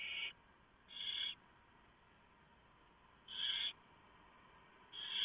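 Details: Barn owl nest at night, 3 November 2015, during a prey delivery by the male while the owlets are fed. Quieter, short hissing screeches, each about half a second, come at irregular gaps over a faint steady background hiss.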